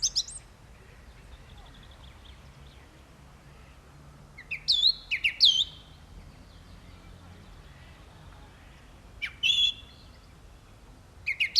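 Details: Singing song thrush with widely spaced phrases: a brief high note, then a looping whistled phrase sung twice in quick succession, and later two sharper chirpy phrases, each separated by quiet gaps over low steady background noise.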